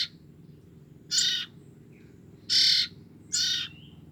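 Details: Three loud, hoarse bursts, the last two close together, come from two-week-old common iora siblings used to lure the parents, over a faint low background hum.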